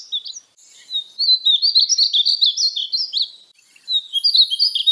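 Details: Painted bunting song, a string of fast, high, sweet warbled notes forming a phrase of about two seconds, followed after a pause by another beginning.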